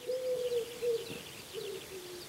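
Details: Wild common wood pigeon uttering a short phrase of low, smooth coos: two longer notes, a brief pause, then a softer trailing coo, with faint twittering of other birds behind.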